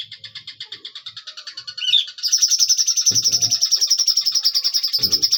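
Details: Cucak cungkok bulbul in a long drawn-out singing burst: a soft pulsing trill swells after a short twisting whistle into a loud, fast, steady high trill lasting over three seconds, with two brief low rustling sounds.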